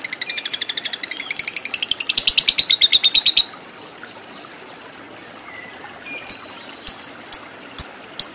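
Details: Fighter lovebird's ngekek: a rapid shrill chatter lasting about three seconds, rising in intensity, then silence, followed by four or five isolated sharp chirps.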